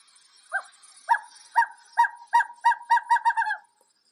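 A Western Screech-Owl gives about ten short, mellow hoots that speed up toward the end like a bouncing ball, with a faintly laughing quality.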